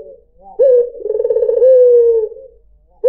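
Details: Single long coo of a white dove meant to lure other birds: an abrupt low note, a fast rolling trill and a smooth fading slide, with the next coo starting at the end.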